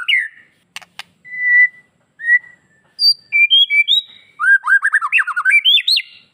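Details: White-rumped shama (murai batu), a "master" song played to provoke male and female shamas into breeding drive and aggression: rich, varied clear whistles, then a fast run of rising, looping notes, with a couple of sharp clicks early on.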